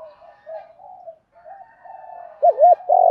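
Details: Spotted dove calling, male and female, for stimulating training doves: soft murmured coos at first, building to a louder wavering hoot and a strong drawn-out coo at the end.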